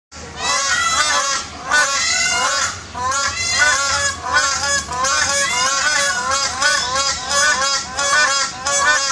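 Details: Crowned cranes at Dubai Zoo on 14 May 2014 trading loud, nasal, goose-like honks in quick overlapping bursts, nearly without pause, with rich harmonics.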